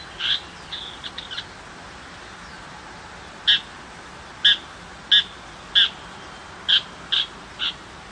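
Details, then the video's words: Countryside tiger shrike giving short, harsh, scratchy notes: a few soft ones early, then seven loud rasping calls spaced roughly half a second to a second apart, with a quiet rural background. "Chim Bách thanh vằn ở vùng quê"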